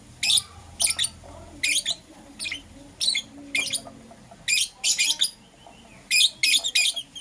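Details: Morning chirping from pet lovebirds, Euwing green opaline and lutino varieties: piercing short notes spaced roughly half a second apart, sometimes paired, over quiet low background noise.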